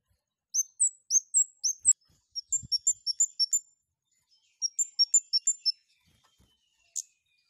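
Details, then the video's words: Long-tailed shrike in breeding condition, used as a lure to prompt another bird into song: very high, sharp chipping notes in quick rhythmic runs of four to eight, separated by short pauses, with a few faint knocks. "KEMADE GACOR NGLEPER OVER BIRAHI || PANCINGAN KEMADE AGAR BUNYI DAN EMOSI"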